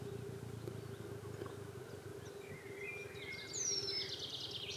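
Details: Eurasian penduline tit, one of a pair building their nest in a birch, an endangered species, western Mecklenburg, Germany, 29 April 2023; a single thin, high whistle sliding downward near the end, over a steady droning chorus of fire-bellied toads.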